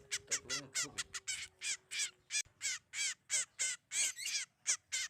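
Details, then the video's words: Bird call played as a lure for trapping birds: harsh, raspy, broadband notes repeated about every third of a second, some in quick pairs, over a faint low steady hum. "MP3 Pikat Sogon Paling Ampuh lansung Sambar"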